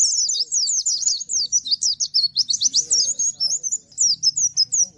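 A sunbird sings a fast, unbroken stream of high, thin chirps and twittering trills, answering another bird. Faint low rumbling sits beneath.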